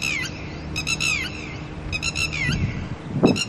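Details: Early morning, a pair of red-wattled lapwings with chicks, disturbed by a nearby person, sounds shrill, rapid alarm notes that slur downward in short bursts, followed by a couple of dull thumps at the end.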